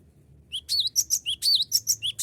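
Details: Cinereous tit calling to rival birds, recorded as a lure: a sudden start into quick, high, sharp chirps with dipping whistled notes, around ten notes in under two seconds over a faint low hum.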